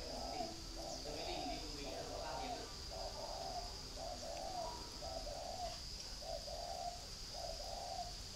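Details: Captive spotted dove at a breeding garden in Ba Vì, Hanoi, northern Vietnam, giving low, hoarse cooing phrases in a steady series of rounded notes, under a constant high-pitched insect drone and faint background voices.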